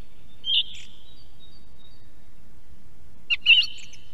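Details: A song thrush heard at an osprey nest cam in Estonia gives two brief, bright phrases about three seconds apart, the second a quick jumbled flourish, over a faint low background rumble.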